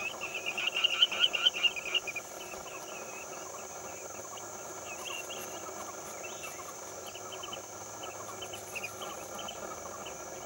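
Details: Chestnut-headed bee-eater calling with a quick run of rolling, trilled notes for about a second and a half, then a busy backdrop of scattered chirps from other birds and a constant high insect drone.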